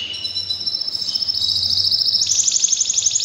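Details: A canary singing during breeding season gives a bright, high, continuous trill that steps up in pitch partway through, with a faint low hum behind it.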